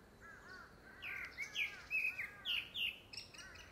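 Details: Grey-backed thrush courtship song, likely tied to a second breeding: sharp descending whistles and bright high notes over lower, arching, harmonic calls, the phrases tumbling quickly without a fixed rhythm.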